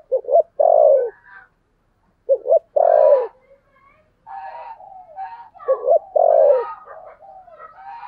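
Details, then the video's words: Spotted dove kept as a decoy, with a 'thổ' voice. Three phrases of a quick double note and a long, loud, falling coo, with long stretches of softer murmuring coos between them. "Chim Cu Mồi giọng THỔ"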